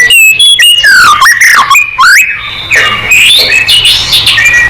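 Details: White-rumped shama singing gacor to provoke other birds into song: loud, fluty whistles sliding up and down, mixed with scratchy chatter and quick high trills in varied, bubbling phrases.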